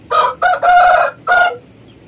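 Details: A Bangkok rooster on a farm in the afternoon gives one full crow of four hoarse, strongly voiced syllables; the third is long and drawn out and the last ends sharply, over quiet background hiss.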